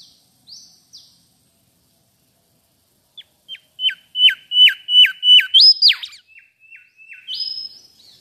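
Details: Sweet chirping of a mangrove whistler. A few soft high notes, a pause, then a loud run of level whistles with falling tails, a sudden upward note, quieter notes and a final drawn-out high whistle.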